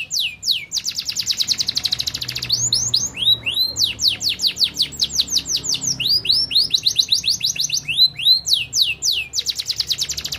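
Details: Canary song used to encourage birds to sing: buzzy rolling trill, then long series of rapid down-slurred whistles, another buzzy roll, more sweeps, and a closing trill.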